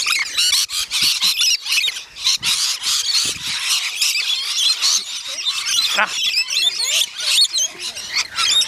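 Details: A feeding frenzy of rainbow lorikeets on the north-east side of Magnetic Island near Townsville, Australia, making continuous high, rasping screeches from many birds at once that rise and fall in loudness.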